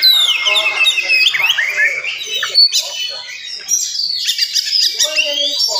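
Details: Morning song of an oriental magpie-robin, delivered fast and dense to agitate listening magpie-robins; sweeping downward whistles, rapid chirps and buzzy flourishes pour out continuously.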